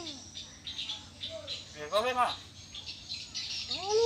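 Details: Indonesian hill myna, called beo, a talking bird speaking back in imitation of human speech: a loud, harmonic, arched, voice-like utterance near the middle, with short gliding whistled notes before and at the end over a steady hiss.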